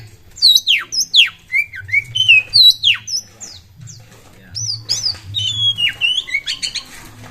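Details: Oriental magpie-robin in vigorous song, offered as a lure to get other birds singing; loud, clear descending whistles repeated several per second, then a pause and a run of warbled, bending notes over a faint hum.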